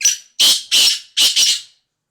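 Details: Black francolin calling very close and loud: a short harsh note followed by pairs of grating, buzzy bursts in a quick clipped rhythm, all within under two seconds.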